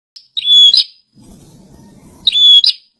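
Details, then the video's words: Bar-winged prinia, a kept bird singing actively: two loud, high whistled phrases, each a sharp note into a steady piping whistle ending in a buzzy flourish, about two seconds apart, with soft low murmuring between. "Pranjenak gacor"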